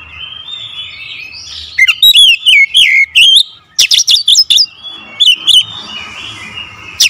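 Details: Magpie-robin song, a loud, varied burst: rich whistled phrases with sharp upward sweeps and twisting notes around the middle, then a run of clipped chattering notes, quiet before and after.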